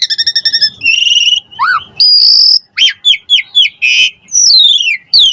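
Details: Vigorous Asian pied starling song meant to prompt idle starlings to sing: a quick rattle opens into buzzy whistles, a rising note, sharp chirps and long sweeping descending slurs.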